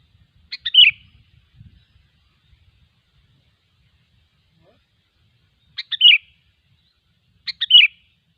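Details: Wild sooty-headed bulbul singing brief bubbly phrases of several quick liquid notes. One phrase comes near the start, then two more follow about a second and a half apart after a long pause. Faint low rumbling sounds early on.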